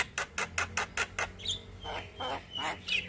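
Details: Male Javan myna, actively singing a long rolling song: a quick run of evenly spaced harsh chacks, about six, followed by a thin rising whistle and softer grating notes.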